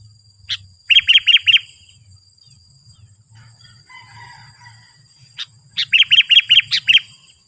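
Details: Sooty-headed bulbul, loud provoking call for luring wild bulbuls: a run of four crisp chirps, a pause with faint distant notes, then another run of five to six bright chirps.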